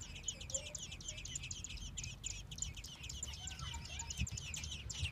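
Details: Several baby American robins beg in their nest in Minnesota while both parents feed them: quick, high, thin chirps tumble out in an unbroken stream, with a soft low hum and faint lower notes beneath.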